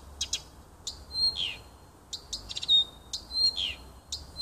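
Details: Singing nightingale in woodland near a house, 30 June 2015. Crisp clicks and short high notes alternate with long level whistles, and rasping downward sweeps recur in the phrases.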